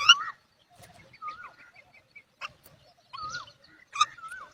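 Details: Myna chicks failing to answer the mother's feeding calls; a myna gives a varied run of slurred, wavering whistles mixed with harsh, scratchy chatters in short bursts over about four seconds.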